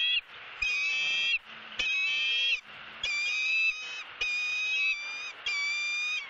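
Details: Nesting female bald eagle in Southwest Florida, 3 February 2017, screaming as her mate brings a headless fish with their eaglet nearby: loud, clear, squealing chatter phrases about one second long, repeated five times with short gaps.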